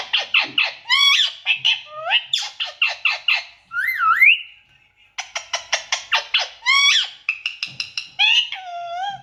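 An Indian ringneck parakeet gives rapid bursts of harsh, high squawks. Rising and falling whistled notes are woven between the bursts.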